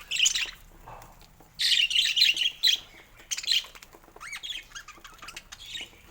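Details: Morning chatter from pet budgies at play with their toys: dense bursts of scratchy chirps, then a few thin whistled notes rising and falling, with softer chirps behind.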